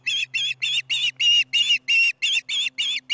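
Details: Close osprey at the Charlo nest during dinner, July 15, 2019, 4:30pm MDT, uttering about eleven harsh, drawn-out high chirps in three seconds, each slightly longer than a quick peep.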